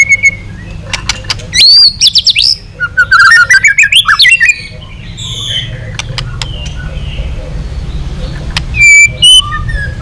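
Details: White-rumped shama singing during long-song training intended to provoke other shamas. Clicks and bursts of loud, twisting, slurred whistles come in two bouts, separated by quieter, softer whistles over background hum.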